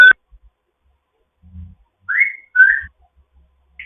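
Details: Foster grey parrot during a morning chat: a sharp click, then two rising whistled notes close together, with a faint whistle at the end and quiet pauses.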